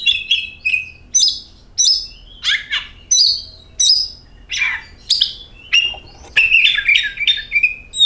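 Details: Oriental magpie-robin song used as a lure to get birds singing: varied phrases of clear whistles, sharp chirps and buzzy downslurred notes, loud bursts separated by short pauses, rich and high-pitched, with no other clear sounds.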